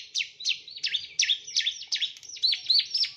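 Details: Bar-winged prinia, a male, singing in a recording meant to train other birds: quick, clipped chirps with steep downward sweeps, some with a brief upturn, repeated rapidly at a slightly uneven pace.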